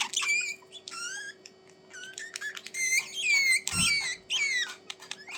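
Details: Budgerigar warble: a series of short whistled notes bending up and down, in quick bursts with brief gaps, over a steady low hum and one dull knock.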